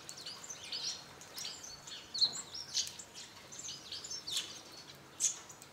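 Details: Hawfinches gathered at a feeder beneath a walnut tree in a northern Hungarian garden: bursts of high, sharp ticks and short thin squeaks from several birds, irregular and overlapping.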